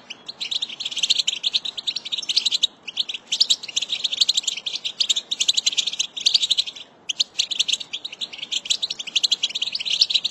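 American goldfinch song: a long, fast, high twittering run of chips and warbles, pausing briefly twice, with little else heard.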